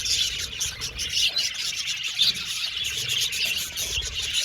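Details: Happy budgerigar colony chattering in an aviary, with thick overlapping high chirps and squeaky warbles pulsing in quick bursts, about one louder burst each second.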